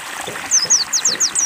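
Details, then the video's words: Brief phrase from a white-eye (pleci) undergoing water therapy to encourage singing: five or six high, thin, downslurred chirps in quick succession against a background of trickling water. "terapi air pleci agar mau bunyi"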